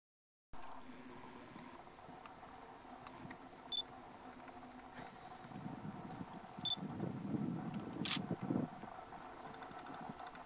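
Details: Male spotted piculet singing in Chapada Diamantina, Bahia, north-east Brazil, September 2014: two very high, thin trills, each about a second long and falling slightly, several seconds apart, with soft rustling and a click between.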